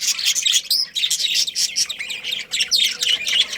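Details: Breeding pair of budgies chattering rapidly, high scratchy chirps several times a second in uneven bursts, bright and busy throughout.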